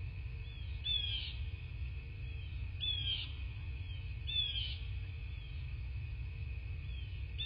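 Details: Bald eagle at its nest in southwest Florida, picked up by a nest camera on the morning of 7 March 2024. Thin, high, squealing notes slur downward, repeated about every one and a half seconds over a steady low rumble.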